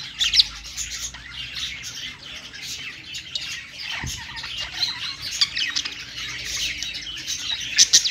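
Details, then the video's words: Budgies perched together and singing, giving a steady stream of raspy chatter and high squeaks, with a brief soft thump midway and louder chirps near the start and finish. "budgies singing on perch"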